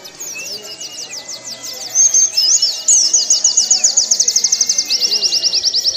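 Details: Warbling white-eye song used as a training recording for caged birds: after quiet opening twitters, long fast runs of high thin chirped notes, about two per second growing to several, with soft background whistles from other birds.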